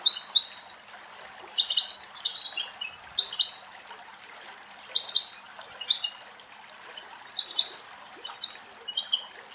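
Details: An adult European goldfinch sings a bright, tinkling stream of high twitters and liquid trills in quick bursts with brief pauses while drinking from a running spring in a Greek forest.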